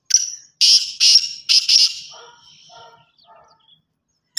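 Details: A black francolin gives its grating call: a clipped first note followed by doubled harsh, scratchy bursts, then a few faint lower chirps as the sequence dies away.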